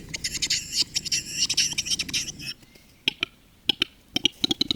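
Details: Western capercaillie lekking in old-growth conifer forest; a rapid run of dry clicks and rattling pops for about two and a half seconds, then sparser sharp clicks spaced irregularly, with a faint thin whistle in between.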